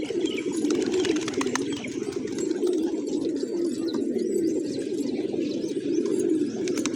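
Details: A flock of pigeons eating grain in village surroundings on a morning, giving a steady, rumbling low coo from several birds at once, with light tapping clicks and a few faint chirps.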